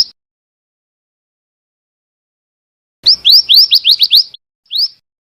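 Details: Rapid string of about eight bright, rising whistles from a female scarlet minivet after a long silence, followed by one isolated upslurred note.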